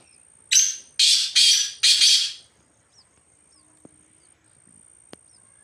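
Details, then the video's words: Free-roaming wild black francolin in the jungle calls a rapid phrase of four loud, grating, buzzy notes, then falls silent apart from faint clicks. "Kala Teetar Ki Awaz Black Francolin Voiceجنگل میں ازاد گھومتے ہوئے کالے تتر کی خوبصورت آواز"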